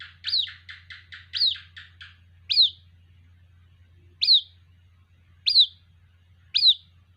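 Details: White-breasted waterhen chick calling to its mother, opening with a quick stuttering run of short high notes, then shrill single downslurred peeps at intervals of one to one and a half seconds, with a low background hum.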